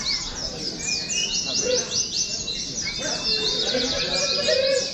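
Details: Many caged Oriental white-eyes hung together for song-contest practice, singing a dense, continuous high chorus of rapid twittering chirps, with a few sustained thin whistles and lower scattered whistled notes underneath.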